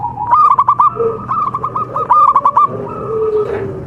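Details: Contest-class local zebra dove in Java giving three consecutive bursts of fast, bright staccato coos, followed by softer, lower coos from other doves.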